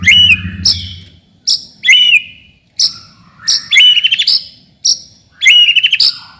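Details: Song of a white-rumped shama, meant to provoke rivals and test young birds, in short bursts: a sharp click, a bright looping whistle and quick trills, repeated roughly every second with brief pauses.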